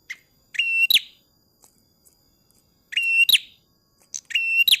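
A tailorbird repeats a loud phrase about every two seconds: a short chip, a steady ringing whistle, then a sharp falling note. The background is quiet.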